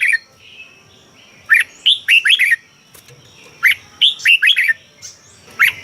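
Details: Red-whiskered bulbul song, from a Thai caged songbird recording meant to excite caged birds: two bursts of four or five quick, rich, warbled notes rising and falling, separated by about two seconds of quiet.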